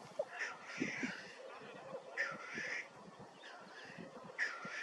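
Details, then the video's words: Black grouse in North Wales on 9 May 2024, giving harsh, hissing, sneeze-like bursts about every one to two seconds over a low, murmuring background. "Black Grouse"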